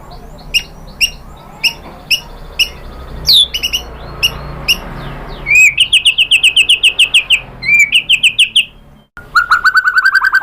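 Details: White-rumped shama song used to provoke a rival into singing: varied whistles and sharp chirps, then a fast run of about twenty clipped repeated notes, a brief pause and a rising whistled series.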